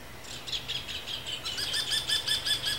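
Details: Rufous hornero in breeding season, giving a fast run of sharp, high chirping notes that grows louder and more regular toward the end, with a low steady hum underneath.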